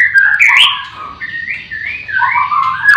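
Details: Caged white-rumped shamas singing in the morning at a breeding farm: mellow, lower whistled phrases that rise and fall smoothly, with a quieter middle stretch.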